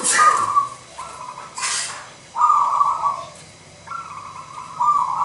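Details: Local wild-type zebra dove singing with a big voice: a few trilled coos separated by pauses, with loud rustling or hissing noise bursts at the start.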